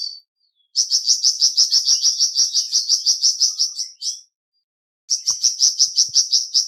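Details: Flamboyan bird singing a rapid rhythmic trill of high, slightly buzzy repeated notes, nearly three each second, in two long runs split by a short silent gap.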